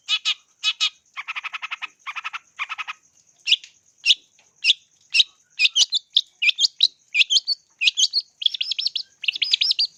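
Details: Long-tailed shrike lure song for training birds opens with four buzzy, rattling notes. Sharp single chirps follow at roughly half-second gaps, then a busy run of varied whistled and squeaky notes building toward the end. A constant faint high tone sounds underneath.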